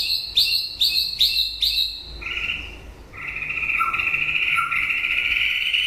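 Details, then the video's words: White-rumped shama singing at the close of the breeding season: four loud, sharp repeated notes, then a long, even, buzzy trill that holds its pitch. "Chòe lửa bông hót cuối mùa sinh sản"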